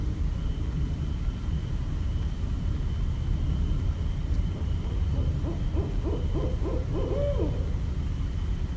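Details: Barred owl in Westchester, New York, 5.1.17. After several seconds of low background rumble, a rapid series of short hoots begins and ends in a drawn-out, wavering note.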